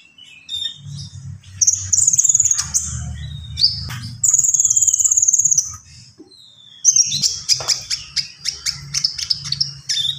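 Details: Common iora singing vigorously, with long high whistled phrases and scattered chips, then a fast series of repeated sharp ticking notes, over a constant low hum.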